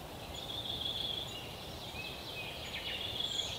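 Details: European pied flycatcher parents feeding nestlings in an old woodpecker tree hole, forest park in Yekaterinburg, Russia, 23–26 June 2018; steady thin high hissing whistle throughout, a few quick descending notes near the end, soft low rumble underneath.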